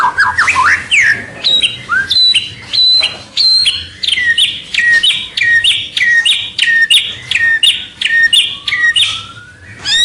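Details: White-rumped shama singing a lure song to attract rivals: varied slurred whistles opening into many quickly repeated sharp notes, with a long rising whistle near the end.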